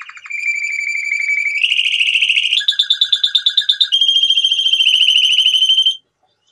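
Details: Male canary song built of stepped tours: a low trill, a higher one, then choppy pulsed two-tone notes and a bright fast trill, ending in silence.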